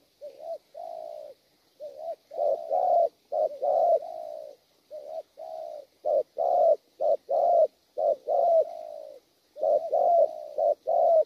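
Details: Sustained gù cooing from a wild-caught spotted dove: dense runs of deep, rough coos broken by a few short pauses. The delivery keeps a fairly uneven rhythm.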